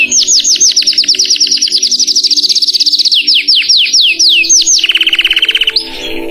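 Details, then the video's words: A Belgian canary sings a rapid series of high, sweeping whistled notes, then a fast, even buzzing trill, with a faint low hum underneath. "O Incrível Canto do Canário Belga"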